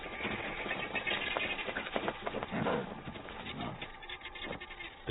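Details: A flock of helmeted guineafowl in African grassland raises a harsh, deafening, rattling clamour of alarm calls at a lurking leopard, calling until the leopard leaves.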